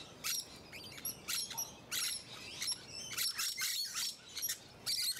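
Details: Shrill, rasping screeches repeated in quick bursts roughly every half second, from musk lorikeets filmed close by in Hunters Hill, a leafy Sydney suburb in Australia, late spring 2020.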